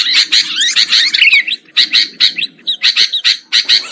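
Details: Sooty-headed bulbul lure sound, used to attract wild birds: bright, chattering calls with short whistled phrases, several bursts each second, loud and busy, possibly more than one bird.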